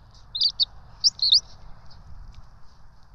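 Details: Nest camera at the ETSU eagle nest in Johnson City on 12 March 2024, during feeding of two bald eagle chicks: a quick cluster of shrill, slightly trilling squeaks, then fading softer peeps.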